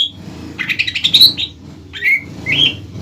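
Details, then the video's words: Greater green leafbird in full song, singing to provoke another leafbird to respond: a fast scratchy chatter of mixed notes, then two upslurred whistles, with a constant low background hum. "CUCAK IJO BAHAN GACOR MEMANCING EMOSI CUCAK IJO LAWAN AGAR BUNYI DAN NYAUT"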